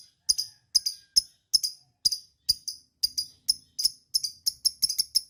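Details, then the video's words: Lovebird giving a long chatter used to prompt other lovebirds to sing: sharp, high, clicking notes spaced about every half second, speeding up toward the end. "TERAPI LOVEBIRD NGEKEK PANJANG"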